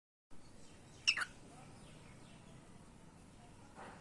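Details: A pet cockatiel, fighting with its owner, gives one loud, harsh, scratchy double screech, falling sharply in pitch, against a quiet room hiss.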